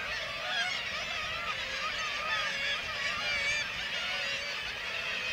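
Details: Black-legged kittiwakes at a breeding colony in Varangar, Norway, while white-tailed eagles attack their chicks; a dense, unbroken chorus of overlapping nasal, wavering calls from many birds, with no gaps between voices.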